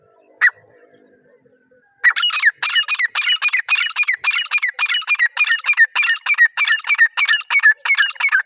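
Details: Wild partridge recorded in natural jungle surroundings, unedited: after a single sharp note and a pause, a loud, harsh, rapidly repeated series of grating notes runs on almost without a break, about three or four per second.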